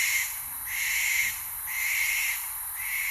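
An Eastern Barn Owl gives harsh, hissing screeches, each about half a second long and repeated roughly once a second, with nothing else heard.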